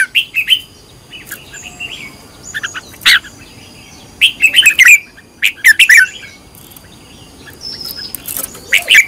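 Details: Red-whiskered bulbul, a decoy bird trained to sing the fiery căng lửa style, repeating bright, quick, warbled chirp phrases in irregular bursts with brief pauses across the recording.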